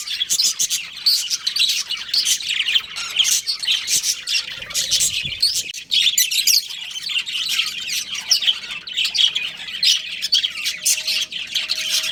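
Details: Long stretch of a pet budgerigar breeding pair chattering, with fast scratchy twitters and squeaks running almost without pause, plus a faint low hum in the background.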